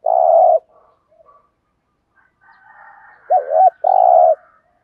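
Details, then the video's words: Decoy spotted dove luring birds with thúc gù cooing: a long low steady coo, then later a quavering double note and another sustained coo, with a faint rooster crowing in the background. "chim cu mồi bài bản THÚC GÙ bài bản nhất hiện nay, cu cườm bài bản dùng kích bổi hiệu quả. cu gáy"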